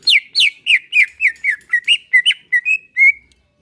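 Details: Greater green leafbird singing a relaxed-style song meant to prompt caged birds to sing: about a dozen bright, downward-sliding whistles in fast succession, the later notes flatter and steadier, ending abruptly.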